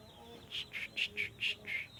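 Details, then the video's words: Sooty-headed bulbul, a kept bird, repeating bright, slightly buzzy notes alternating high and low, about four per second in a steady run, with quiet background hiss. "Burung Trucuk Sungguh Mau Ber Kicau Terus"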